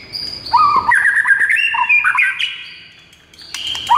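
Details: Actively singing white-rumped shama in a morning masteran training recording: varied whistled phrases jumping between low and higher pitches, a quiet gap, then renewed sharp notes.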